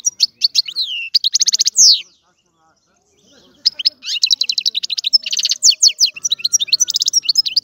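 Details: European goldfinch delivering a lively, high twittering song with buzzy trills, a pause of about two seconds, then a long continuous stream of bright, rapid chirps.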